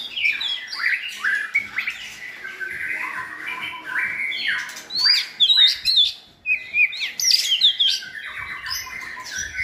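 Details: White-rumped shamas with good voices sing as tutors to train a selected shama in transition to diversify its song; rich whistled phrases, rising and falling, with sharp high flourishes and brief pauses near the middle.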